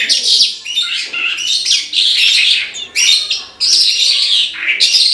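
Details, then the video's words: Australasian bush lark (branjangan) singing vigorously: continuous rich, scratchy, warbled high phrases packed with rapid buzzes and trills, broken only by short gaps between bursts. "BRANJANGAN GACOR TIADA LAWAN"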